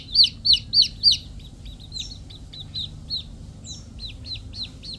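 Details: Chicks peep: four loud, high, falling notes open the clip, then softer, quicker peeps and a few thin higher chirps continue over a low background hum.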